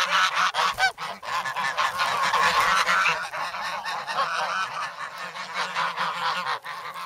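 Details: Snowy Sloterpark, Amsterdam, 3 February: several grown goslings, still noisy and hungry, peck for bread. Sanyo SH1 recording. Quick, jumbled nasal honks pour out, many per second, overlapping into a steady clamour.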